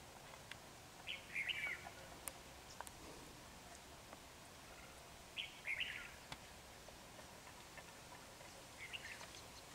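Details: Red-whiskered bulbul singing at a trapping session with a decoy bird, 28 January 2019: three brief chattering, whistled phrases spaced several seconds apart, faint against steady rural background noise.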